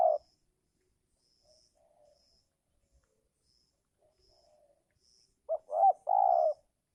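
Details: Spotted dove in the giring season, calling while wild birds are being lured and seldom come down. Faint, distant coos are followed by one loud close phrase near the end: two short notes, then a long, husky coo.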